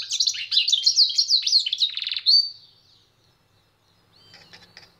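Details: Goldfinch-canary hybrid (pintagol) delivers a rapid twittering phrase ending in a buzzy rattle and a bright rising note, then goes quiet before soft, faint chirps return near the end.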